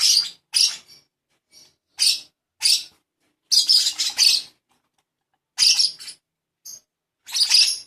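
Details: Young pet lovebird being hand-fed lets out scratchy, high-pitched chirps in short bursts with uneven gaps, sometimes single and sometimes in clusters of two or three.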